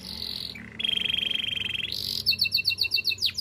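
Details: Canary singing a Spanish Timbrado training song: a rolling high trill drops into a long metallic rattle, then bright doubled whistles repeat rhythmically about seven times before a final downward slur; faint noise beneath.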